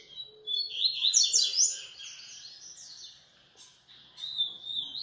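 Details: Coleiro singing rapid, high, buzzy chirps that build into a dense burst and then fade, with a pause before a final short phrase.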